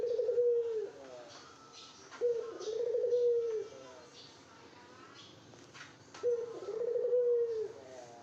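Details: Spotted dove courting a female: three trembling coo phrases with long pauses, mixed with scattered chirps and faint voices in the background.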